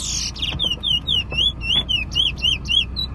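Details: Competition bullfinch near Preysal singing a steady string of sweet upslurred whistles, roughly four each second, opening with a brief harsh burst; low rumbling background.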